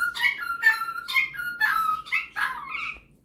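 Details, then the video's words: A pet male Superb parrot shows off singing and mimicking, giving a quick series of whistled notes about twice a second that mix steady tones with squeaky chirps, ending in a short rising whistle. "Superb Parrot Malibu showing off his singing and mimicking skills"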